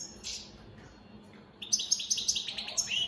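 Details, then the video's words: Goldfinches (opal split Satane) sing a faint opening note, then about 1.5 seconds of rapid rhythmic twittering, roughly six notes per second. "Opal split Satane goldfinches siging"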